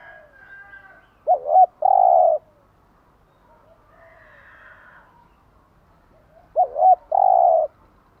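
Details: Spotted dove giving morning cooing used to stimulate and train caged doves: two short hooting notes, then a longer rolling coo, the phrase repeated about five seconds later, with faint softer calls in between.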